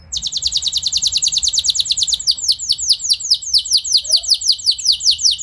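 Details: Canary song aimed at stimulating other canaries to sing long rolls: a very fast high trill slowing gradually into spaced, repeated downslurred whistles, steady throughout.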